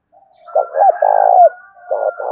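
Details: Fight-urging coo of a spotted dove, the 'thổ' voice style used to agitate wild doves and decoy birds: two short throaty notes, then a long, rolling low coo, and another phrase beginning after a pause.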